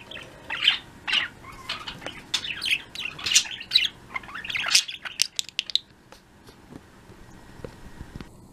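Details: Afternoon chatter from a flock of pet budgerigars: rapid overlapping high chirps and warbling trills for about five seconds, then fading to a few scattered notes and near quiet.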